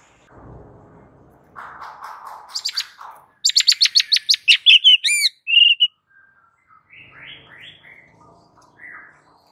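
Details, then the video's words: Agitated white-rumped shama used as a fighting-training master: soft low notes, then a fast series of sharp repeated chipping notes, a few looping whistles and scattered softer phrases afterwards. "jadikan Murai Batu siap TARUNG dengan MASTERAN Murai Batu GACOR NGAMUK satu ini"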